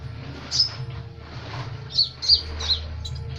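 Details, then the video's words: Sunbird song used for training other birds, rendered in a rapid trotolan style: a few scattered, very high, sharp chips, some paired, over a low steady hum. "Burung kolibri ninja trotolan suara rapat goyang ngobra asik | Suara masteran burung kicau"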